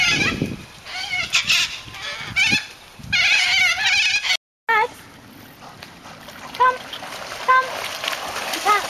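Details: A huge flock of cockatoos visiting a retriever club training day (14 Mar 10) gives harsh, overlapping screeches in raucous bursts, then shorter repeated squawks after a brief break; cockatoo.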